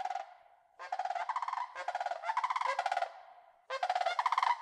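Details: Several sandhill cranes (Antigone canadensis) flying over Yellowstone National Park on southward migration give loud, rolling, trumpeting rattles in overlapping bursts of about a second each, with brief gaps; flight calls.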